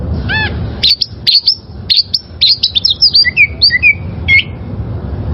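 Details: Wild oriental magpie-robin song for training caged birds: a single low arched note, then a quick series of high sharp whistles and downslurred notes ending with a level whistle.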